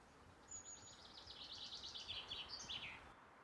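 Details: Common chaffinch calling at a farm lake with pasture and woodland in spring: a bright rattling run of notes speeding up and dropping in pitch, ending in a quick flourish, after a thin high whistle, over soft outdoor rumble.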